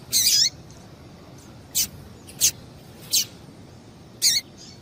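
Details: A female Double-collared seedeater calls to excite a male. A brief burst of high chirps opens the clip, followed by four isolated, short, sharp notes spaced roughly a second apart.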